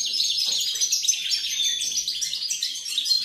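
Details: Goldfinch singing, recorded 28 November 2020, in a fast, unbroken stream of high, liquid twitters and tinkling trills with quick pitch jumps and no other sounds.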